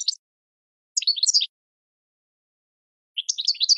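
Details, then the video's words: Goldfinch song meant for training cage birds: brief scattered twittering fragments, a short tinkling phrase, a long silence, then another quick burst of high chirps. "Goldfinch 12h Excellent for Training"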